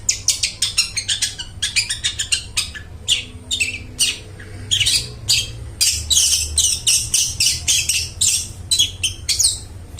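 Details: Long-tailed shrike singing prolifically with a clear, ringing voice, used as a lure to get mute shrikes singing; a fast, irregular run of harsh, scratchy, high chattering notes, with denser raspy bursts in the second half.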